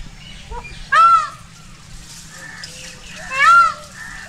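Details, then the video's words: Peacock call linked to a peacock dance: two strong, ringing, arched cries roughly two and a half seconds apart, with faint softer bird notes and light background hum between them. "peacock sound | peacock call & peacock dance | मोर ध्वनि || mor ki awaz"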